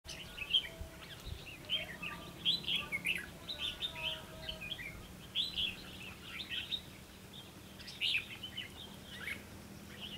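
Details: Red-whiskered bulbul used for fight-trapping, luring wild birds into a trap: bright chirping and warbled phrases around two to four thousand cycles, in bursts throughout, with a faint low hum beneath.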